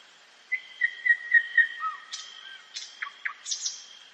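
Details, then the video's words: Common nightingale singing at night in a forest: a run of five or six clear whistled notes, a lower slurred whistle, then sharp, abrupt chips and snapping notes, over a faint steady high tone. "СОЛОВЕЙ. НОЧНОЕ ПЕНИЕ СОЛОВЬЯ В ЛЕСУ."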